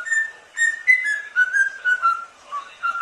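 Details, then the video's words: A falk whistles the Doraemon melody, used as a master tune to teach falks to whistle, in clear, pure notes that step up and down in pitch, about two notes a second, with no other sounds. "Siulan doraemon burung falk"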